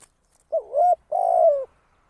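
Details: Spotted dove kept as a decoy bird for trapping, giving a short coo and then a longer, rolling, slightly falling coo, both mid-pitched and cleanly heard against a quiet background.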